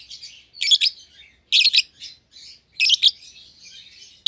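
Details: Two young caged lovebirds, a euwing green opaline and a red-eyed albino, kept as a pair; sharp high chirps in three loud bursts with softer twittering between.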